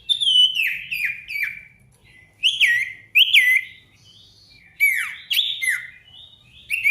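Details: Sirtu singing as a lure to draw a rival's answer: clear descending whistles repeated in quick groups, then looping rising-falling notes with brief pauses between phrases.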